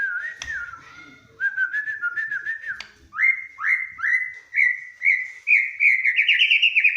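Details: White-rumped shama in full song, meant to stimulate other birds into singing: a loud series of whistled notes repeated roughly every half second, each upslurred, climbing gradually higher toward the end, with a sharp click early on.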